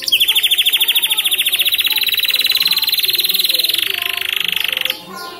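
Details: Canary, an F1 bird, in nonstop blackthroat-style song: one long, fast, even trill of high repeated notes sustained for nearly five seconds, slowing slightly before it breaks off into quieter sound.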